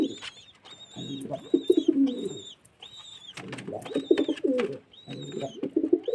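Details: A pigeon gives deep, rippling coos in two main bouts with a quiet pause between them. High thin whistled tones recur throughout.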